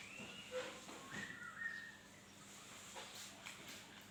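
A laughingthrush gives a few soft, clear whistled phrases, some steady and some briefly sliding, over faint background hiss.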